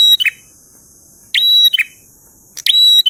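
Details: Prinia singing in the 'ngalun' manner, with three close phrases of buzzy onset, level piercing whistle and rough lower ending. Silence falls between them.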